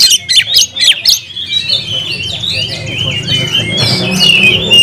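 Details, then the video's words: Oriental magpie-robin singing continuously, opening with a few sharp repeated chips then running into warbled, sliding whistled phrases; a low background hum persists throughout. "kacer gacor nagen sampe leklok"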